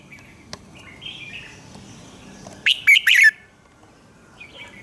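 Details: Red-whiskered bulbul singing in the morning, a decoy song for training birds: one loud, quick phrase of three or four warbled, slurred notes near the middle, with soft chirps from other birds before and after.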